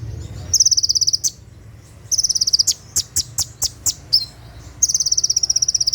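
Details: At night, an olive-backed sunbird delivers 'tembakan' song for training kept birds: fast shimmering high trills bursting for about a second, separated by a string of sharp, evenly spaced clicking chips, then another long trill.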